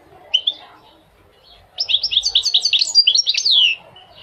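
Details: A goldfinch gives a lone chirp, then a lively sequence of rapid, liquid twitters ending in a drawn-out slurred note.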